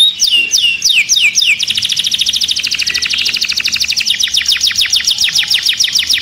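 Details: Agitated canary in a cage singing: rapid, evenly repeated high chirped notes form fast trills that sweep and shift pitch, with a drop at about four seconds into steeply falling repeated notes.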